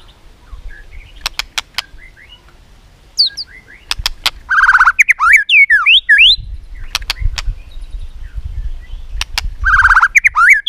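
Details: White-rumped shama in competitive singing, tail-flicking and clicking tak: sharp isolated clicks repeat through the clip, broken by two bursts of buzzy rattles mixed with rising and falling whistles.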